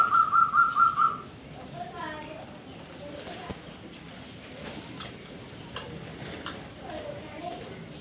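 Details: Zebra dove in the morning: a quick burst of about six clipped, evenly spaced notes in the opening second, then fainter wavering calls amid a murmur of background sound.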